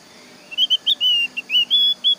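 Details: Javan grey-throated white-eye song meant to prompt other birds of its kind to sing along: a quick series of high, clear whistled notes, some slurred and some drawn out, in an irregular chattering rhythm.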